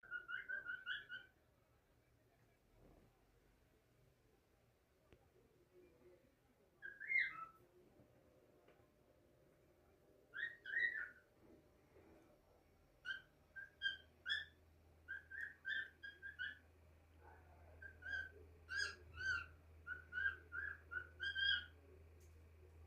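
A cockatiel gives bright, clear whistled notes in short bursts, growing busier toward the end.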